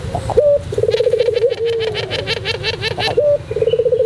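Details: White Barbary dove singing in the pelung style for a tutor recording: short clipped notes and a rapid wavering trill of coos, accompanied by loud regular clicking or tapping sounds.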